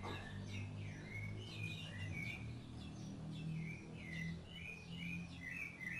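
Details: Rufous-bellied thrush singing while feeding its chicks: clear whistled notes, many dipping then rising, repeated through the phrase over a constant low droning hum.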